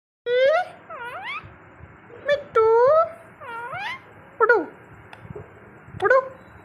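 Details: A pet rescued male rose-ringed parakeet, flightless and living with a family for 16 years, talks with its owner in a quiet room: about six nasal, speech-like bursts swooping up and down, with brief pauses.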